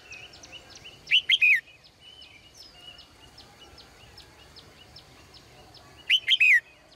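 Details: Female cage bird in morning song, giving two loud clustered phrases of three rapid rising-and-falling whistled notes about five seconds apart, with softer chirps and a low hum behind.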